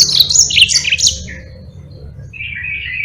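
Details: Yellow-fronted canary singing a lively rolling song meant for tutoring other cage birds: a burst of high, rapid chirps and twitters, a quieter pause, then a soft, lower buzzy trill closing the passage.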